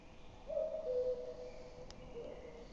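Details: Common cuckoo at Metsis, Estonia, 16 May 2018, gives its typical soft, hollow two-note cu-coo, the second note lower, and another call begins near the end over quiet background hiss.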